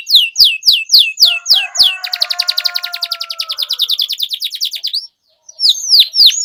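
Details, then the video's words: Lively pet canary singing to stimulate a stalled canary: crisp descending whistled notes, then a rapid even rattle-like trill for about three seconds, a brief pause, and more down-slurred notes, with soft steady tones underneath. "Kenari Gacor Menuntun Kenari Macet Jadi Bunyi Kembali"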